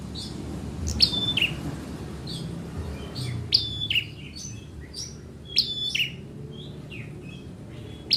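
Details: Bar-winged prinia (ciblek merah) in full energetic song: repeated short, high, sharp phrases, each a thin whistle dropping to a piercing chip, given about every two to three seconds with quieter notes between, over low background rumble.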